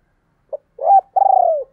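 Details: Spotted dove call, known locally as gáy gọi, from 2022: a single short low note, a rising coo that levels off, then a long pulsed, rolling coo gently sliding lower, heard clean without other sounds.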